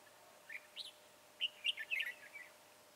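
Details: Red-whiskered bulbul, slim-bodied, tall-crested and dark-bibbed, recorded 22 January 2018 during trapping; a few upslurred whistles, then a fast rolling warbled phrase.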